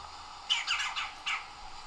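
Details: Two red-bellied woodpeckers calling to each other in early spring in northeast Ohio: a few short, harsh, rolling squawks in quick succession, bright and mid-high pitched, over a faint steady hiss.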